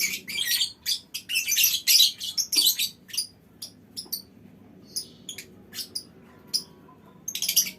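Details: Lovebirds calling in a colony, a loud burst of shrill overlapping squawks and trills at first, then sparse, thin single chirps, before a final chattering flurry.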